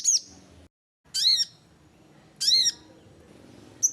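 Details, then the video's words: Sogon used as a lure to spur reluctant birds into calling: sharp high chirps in short bursts, each a downward-curving note with bright overtones, separated by brief pauses. "suara sogon cocok buat pancinggan sogon bahan malas bunyi"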